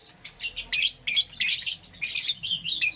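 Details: Lovebirds, green opaline and lutino colour forms, kept as pets, chirping in the morning: rapid bursts of shrill, harsh high-pitched chirps in uneven clusters, about three per second.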